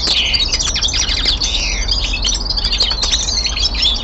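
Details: Winter song of a young male common linnet indoors: dense, fast twittering with buzzy trills and brief downward-sliding whistles running without a break for four seconds, over low background hum.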